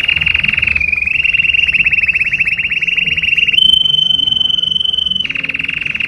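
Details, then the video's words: Canary singing for mating: long, steady rolling trills of rapid high notes held for over a second each, one tour rising slightly and a brighter, purer trill in the middle, with a faint low background rumble. "تغريد الكناري لتزاوج#Canari gazouillant pour s'accoupler #Canario piando para aparearse"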